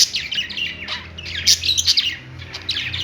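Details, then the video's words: Perched budgerigars warble in quick, twisting chirps and squeaky trills, the notes sliding up and down in tight clusters, with louder bursts near the middle and a soft hum below. "budgies singing on perch"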